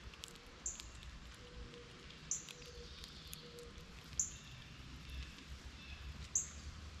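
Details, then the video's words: Northern cardinals outdoors below a feeder, waiting for seeds to drop to the ground while a squirrel eats. Four short, sharp, high chips spaced about two seconds apart, over steady low rumbling background noise. "Cardinal Bird Sounds"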